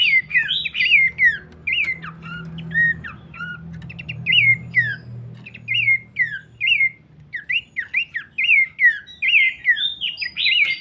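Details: Abbott's babbler repeating loud slurred whistles, often in pairs, for over ten seconds with short gaps and occasional higher notes. A low rumbling hum sits underneath in the first half.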